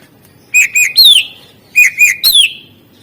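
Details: Greater green leafbird in full 'isian' song, used as a master recording to prompt quiet birds to sing: two loud whistled phrases, each of two short level notes and then a long falling slur, about a second apart.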